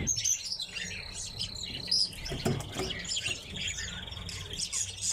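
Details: Several red crossbills give bright, clipped chips and brief whistled notes, mixed with softer twittering. A low thump is heard near the middle.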